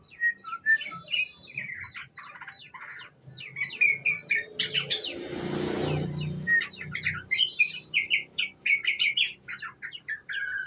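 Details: Lure recording of a young sooty-headed bulbul singing ngriwik: dense, rapid runs of bright chirps and short whistles. A loud whooshing noise breaks in midway, then the quick chattering notes resume.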